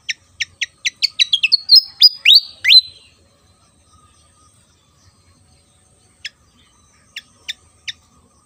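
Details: Javan fantail (sikatan kipas) from Java in lively song: a quickening run of sharp high chips that breaks into bright, swooping whistled notes, then silence and a few scattered high chips.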